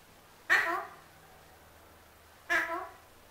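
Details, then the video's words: Captive male Alexandrine parakeet asking for an apple, giving two abrupt rasping squawks exactly two seconds apart, each bursting loudly and then tailing off, with near silence between calls. "MY ALEXANDRINE PARROT WANTING HIS APPLE"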